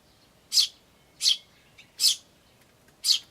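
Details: Eurasian tree sparrows, chicks chirping "chi chi" among adults calling "chun" and "jyujyujyu", recorded 10 May 2013 on an iVIS camcorder; four short high bright chirps spaced about every 0.7 seconds over a quiet background.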